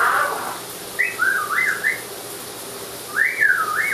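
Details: Amazon parrot whistling while in a running shower: wavering, up-and-down whistled phrases in two short bursts, clear above a steady hiss of falling water.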